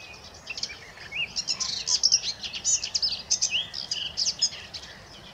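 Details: Garden warbler at RSPB Middleton Lakes on 26 April 2023 giving a long, fast, rich warble of varied notes that runs on without pause, over faint background hiss.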